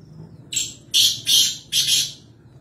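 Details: Wild black francolin recorded at Nawabshah: a single phrase of three harsh, grating, broadband notes delivered in quick succession, preceded by a short scratchy note, over faint background hiss.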